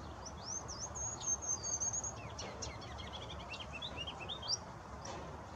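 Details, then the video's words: A Ruby-crowned Kinglet on northbound spring migration sings in Toronto's Brookbanks Ravine on 17 April 2020: thin, very high introductory notes, then a tumbling run of quick, lower warbled phrases, over steady background hiss. "Ruby-crowned Kinglet Singing"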